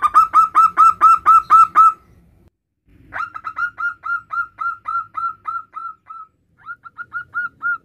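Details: Local male zebra dove calling its partner, giving a loud run of about ten rhythmic, purring coos, a short pause, then a longer series of clear, slightly rising and falling coos slowing toward the end.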